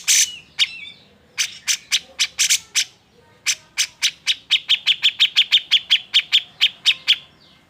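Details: Excited song of a grey-cheeked bulbul, meant to spur quiet birds into singing: a few harsh bursts open, then, after a short pause, a long even series of sharp bright chirps, roughly four per second.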